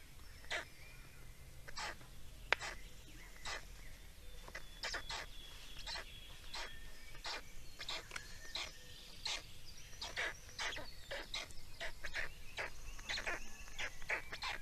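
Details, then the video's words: Feeding session of Estonian black storks, recorded 17 May 2019: many brief scratchy rasps and clicks in irregular clusters, with thin whistled notes from other birds threaded through and a low steady rumble beneath. "Estonian Black Storks - Feeding"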